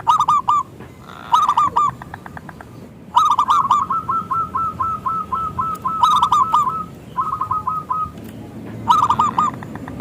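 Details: Zebra dove of local stock, singing loudly to lure others: fast rolling coo clusters, then a long, even run of clipped notes, pausing and restarting, over a faint, constant background hiss.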